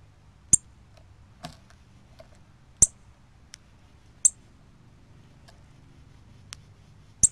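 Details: Cardinal giving sharp, high chip calls on 24 October 2020, spaced irregularly about every one to two seconds, with a few fainter ticks between them over a quiet background.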